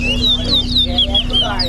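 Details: Chestnut-bellied seed finch, known in Guyana as towa towa, singing in a bird competition; a fast series of clear, slurred whistled notes, each sweeping up and down, with a steady low hum beneath.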